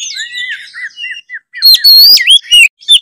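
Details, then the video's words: White-rumped shama song meant to provoke a reluctant bird into singing: soft wavering whistles, then loud rising and falling whistled phrases with sharp chips. "siulan kacer gacor pancingan kacer susah on dijamin langsung on kalau denger suara kacer satu ini"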